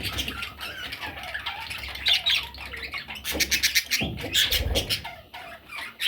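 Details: Young parrots calling with rasping, clicking chatter and occasional thin squeaks, intensity rising and falling, over low handling sounds.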